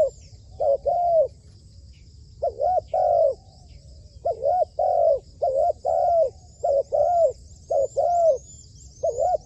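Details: Spotted dove kept as a trained trapping decoy gives soft, rounded coos in short-long pairs. Bursts come irregularly over several seconds with brief pauses between, and a faint high whine lies in the background.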